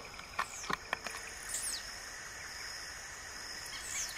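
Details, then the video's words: Wild blue-black grassquit (tiziu) with two high, buzzy falling notes over a continuous high insect drone. A few sharp clicks sound near the start. "SÓ OS TIZIU MAIS TOP CANTANDO MUITO NA NATUREZA"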